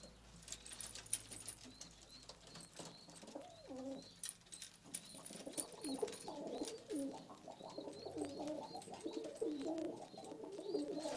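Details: Istanbul pigeons, eyes hazel or red: after a few quiet seconds deep, bubbling coos rise and soon overlap into a continuous rolling chorus, with faint high chirps repeating above and scattered clicks throughout.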